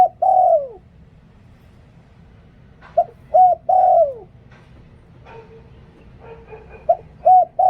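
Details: Spotted dove decoy bird repeating its Liu Tan cooing song, a long falling coo, then a full three-note phrase near three seconds, soft clicks and faint sounds in between, and another phrase starting at the end.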